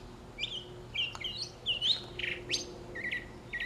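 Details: A mockingbird sings in the morning while sparrows, Inca doves and a parakeet feed nearby: a quick medley of high chirps, slurred whistles and buzzy notes, each phrase different from the last, over a faint low hum.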